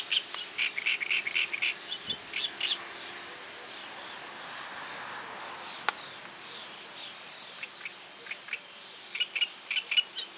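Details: Reed warbler singing its advertising song: bursts of rapid, chattering notes, each phrase a quick run of repeated scratchy syllables, broken by short pauses and a soft rustle in the background.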